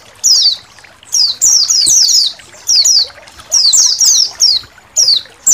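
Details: Massed Indonesian white-eyes in a songbird training recording. Sharp, high descending tweets come in bunched phrases, pausing between bursts as multiple birds call over one another.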